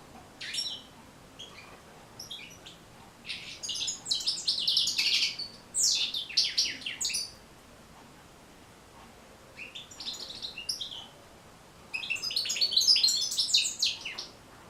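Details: European goldfinch delivering bursts of rapid, twittering song with buzzy, metallic notes, separated by silent gaps of a few seconds; the recording is meant to help goldfinches learn and start singing.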